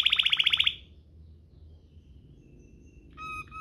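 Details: Waterslager canary song used as a tutor recording, with a fast rolled trill of about ten rapid notes lasting under a second, followed by silence and a short tonal phrase near the end.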